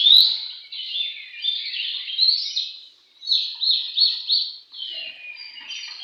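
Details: Oriental magpie-robin singing in a contest: bright whistled phrases and rapid trilled runs, a brief gap at three seconds, then a string of quick, repeated sharp notes and warbles.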